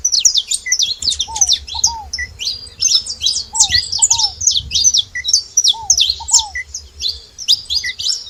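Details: Saffron finch (canário-da-terra) noisily calling, with dense bursts of sharp high chips and twitters, broken by pairs of lower, down-slurred whistled notes.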